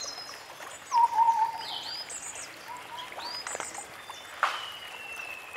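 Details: White-browed scimitar babbler calling in forest: a brief series of hollow, low whistled notes, followed by scattered higher chirps, slurred whistles and a sharp click from other birds.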